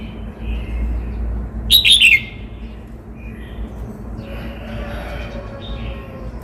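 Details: Cao Bằng red-whiskered bulbul song. One brisk phrase of several rich, slurred notes sounds loud and clear near the middle. Quieter low murmuring and hum run through the background, with soft warbling afterwards.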